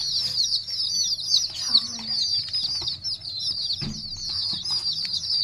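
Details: Chicken chicks peeping: continuous high, rapid overlapping cheeps from several chicks, with faint rustling and scratching.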